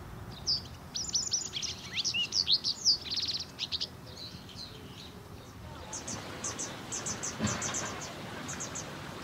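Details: Japanese wagtails, a resident breeding species here, feeding recently fledged young. Bursts of thin, high, sharp chirps come in quick clusters, then a fainter run of repeated high notes, over low rumbling background noise.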